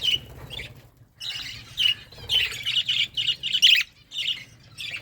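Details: Budgerigar flock feeding, giving bursts of scratchy, warbling chirps in quick clusters, separated by brief pauses, with a soft low hum in the background.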